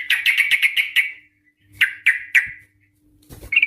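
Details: Sooty-headed bulbul female in a lure recording meant to coax ropel song: a quick series of about seven clipped notes, a pause, then three louder notes and a brief final burst, with a low hum throughout.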